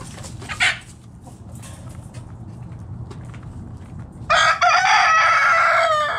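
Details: Backyard chicken flock foraging in the morning; a couple of sharp clucks, a quiet pause, then a loud, harsh, sustained crow that runs on for nearly two seconds to the end.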